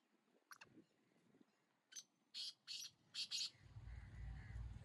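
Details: Distant black francolin: a scratchy rhythmic sequence of four or five buzzy notes, followed by a rising low rumble and faint background noise.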